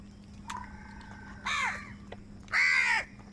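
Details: During a squabble over food, two loud, hoarse crow caws about a second apart follow a thin, level whistled tone, over a faint continuous hum.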